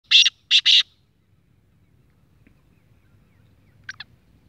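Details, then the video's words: Six-month-old young black francolin of the speeder type giving its short-cut call: three loud harsh rasping bursts in quick succession, then after a long quiet pause a fainter clipped double note. "Speeder Kala Teetar ka Patha age 6 months Shotcut awaz"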